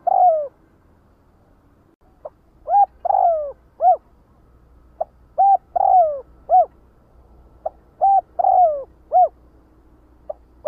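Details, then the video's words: Spotted dove calling the flock: repeated phrases of short low hooting coos with a longer drawn-out, falling coo in the middle, each phrase about three seconds apart. "Tiếng chim Cu Đất Gọi Bầy"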